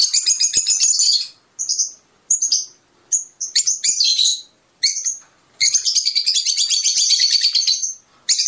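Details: Fischer's lovebird chirping, a sound said to stimulate mating: dense, shrill twittering bursts, some lasting over a second, separated by short silences, with brief sharp chirps between; no other sounds.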